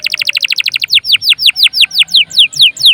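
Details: Canary song used to trigger singing in other birds and tutor them; a very fast rattle of high notes slows into evenly spaced, downward-slurred whistles, about five per second.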